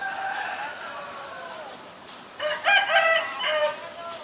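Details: White-vented myna calling in Ubon Ratchathani, Thailand, on 9 March 2022. Soft, drawn-out tonal notes lead into a burst of loud, stacked, grating calls in the second half.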